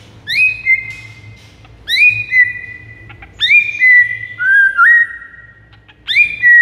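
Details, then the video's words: White-rumped shama song used to lure rival shamas: loud, clear whistled notes that sweep up and then hold level, in phrases about every one to two seconds with short pauses between them. "MASTERAN 99% EFEKTIF PIKAT MURAI BATU LAWAN"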